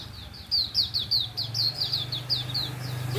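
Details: Hume's white-eye in the wild at morning: a quick series of short, high, down-sliding whistled notes, roughly four per second, against a constant low droning hum.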